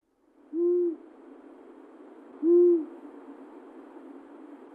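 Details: Long-eared owl, a forest bird of Russia, gives two low, soft, even hoots about two seconds apart over a faint background hiss.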